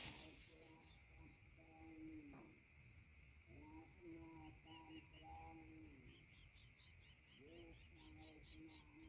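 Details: Greater coucal at the nest, where the adults bring mice to feed their chicks: low, hollow, harmonic calls, each slightly arched and falling, given in bursts of several notes, over a steady high insect drone.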